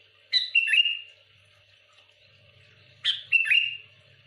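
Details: Sooty-headed bulbul singing energetically to provoke rival bulbuls: two short bursts of bright, bubbling whistled notes about three seconds apart, each ending in a sliding whistle, with a faint low hum in the background.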